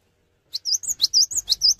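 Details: Cinereous tit singing eagerly to draw other tits into song: silence, then about four brisk repeated high phrases of a downslurred note and arched whistles, over a faint low rumble.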